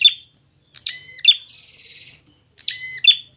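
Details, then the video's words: Prinia fighting song for training caged birds to sing: crisp stacked chips, then a long dry buzzing trill, ending with another pair of bright, metallic notes. "masteran prenjak agar cepat gacor"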